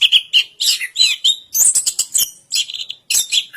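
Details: Long-duration song by an Orange-headed thrush, mixing lower warbled phrases with sharp high chips, delivered in lively bursts with tiny gaps.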